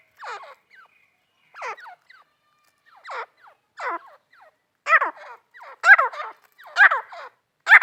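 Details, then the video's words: Female grey francolin giving spaced, short rising nasal notes, at first soft and then growing louder and more frequent toward the end. "female teetar ki awaz"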